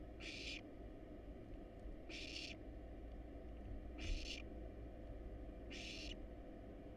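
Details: Wild barn owl young in a nest box, begging while eating rat and rabbit: four drawn-out rasping hisses roughly every two seconds against a low steady hum.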